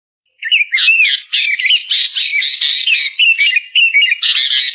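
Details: Ashy bulbul (Hemixos flavala) delivering a loud, continuous run of chattering, whistled notes that rise and fall quickly, with varied, bubbly phrases and no other clear sounds.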